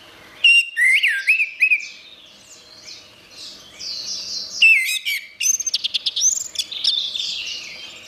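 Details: Anis merah (orange-headed thrush) masteran, gacor singing for songbird training: long, varied stretches of whistled slurs, rapid stuttering trills and buzzy high notes, loud and nearly continuous.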